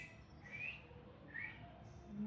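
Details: A young Indian robin inside a home gives two short, thin, slightly rising chirps about a second apart over a soft background hiss.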